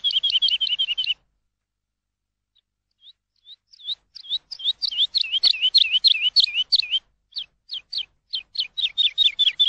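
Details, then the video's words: A lark in open fields sings a high, fast series of chirping, warbled notes: a brief burst, a pause, then a long, lively run of varied trills. "alondra en el campo con sus trinos"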